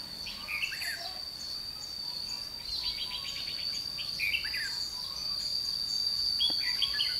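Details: Trapping at Chùa Hương on 22 June 2016 catches a red-whiskered bulbul delivering rapid, repeated chirpy notes and quick warbled phrases through most of the recording, over an unbroken high insect whine that slowly grows louder.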